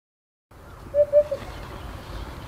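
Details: Eurasian hoopoe in neighbouring pines calling to another hoopoe: a soft, hollow 'oop-oop-oop' of three low, even notes in quick succession over a faint rumbling background.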